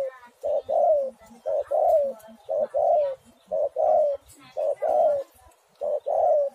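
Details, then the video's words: Indonesian spotted dove singing, a recording meant as a lure to make doves sing; regular paired coos, a brief note then a drawn-out falling coo, repeated six times at an even pace. "tekukur super gacor sekali putar langsung nyaut"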